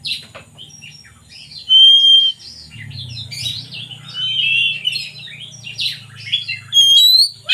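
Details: Oriental magpie-robin singing, used to coax lazy birds into song: scattered thin whistles and clear pure tones alternating with chattery buzzy phrases, loud bursts near the start and end, and a low hum in the background.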